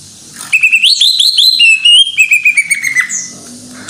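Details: Greater green leafbird in full gacor singing: a rich run of clear whistled notes that slur up and down, with quick rising phrases first, then a longer falling whistle, in a quiet setting.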